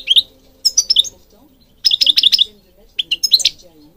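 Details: European goldfinch singing, offered for training birds: bright, twittering bursts of quick, varied notes, some rising, in three separate phrases with short pauses between them.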